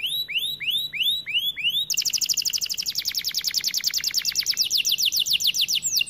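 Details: White canary singing: a series of loud upward-sweeping whistled notes, then a fast rattling trill of rapid repeated high notes that gradually slows and drops slightly in pitch.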